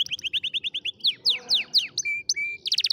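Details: Singing canary, recorded to teach young canaries proper song: quick repeated chirps, then loud downward-swept notes, two level whistles, and a closing rapid trill.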